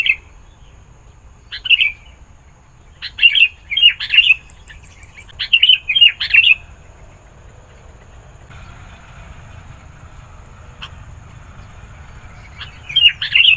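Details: Sooty-headed bulbul song used for calling wild birds: several separate bursts of warbled, chattering notes with short pauses between them, then a quiet stretch.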